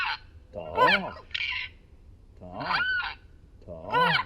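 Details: A female-voiced pet Amazon parrot, practising words outdoors in a yard, talks in short, hoarse, speech-like phrases, three bursts over four seconds, with nasal rising and falling syllables and a soft background hum.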